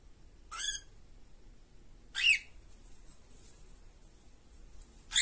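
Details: From two caged cockatiels, three isolated harsh squawks spaced well apart, each brief and rasping with a rising sweep, separated by quiet stretches.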